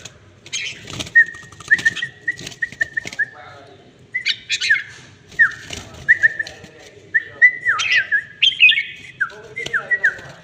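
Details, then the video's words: Red-whiskered bulbul delivering clear whistled notes in a steady run, then richer phrases with sharp falling slurs, punctuated by clicks and scratchy noises. "chào mào thuần đét hàng siêu phẩm"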